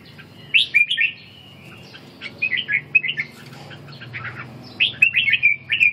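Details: During ché training and stamina recovery, a red-whiskered bulbul delivers clear, liquid whistled phrases in clusters, a slurred run near the start, a scattered middle and a bright final flourish.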